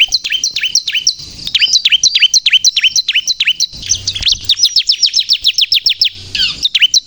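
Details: Bar-winged prinia in full song, used as a lure for trapping and provoking birds: very high, sharp down-slurred chirps in rapid series, about three per second, breaking into a fast run of thin ticking notes.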